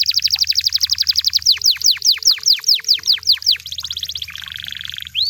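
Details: Canary singing in the wild: a fast run of downward-sweeping whistled notes that slows into broader repeated swoops, then a quick chatter, a steady buzzy trill and a final rising whistle.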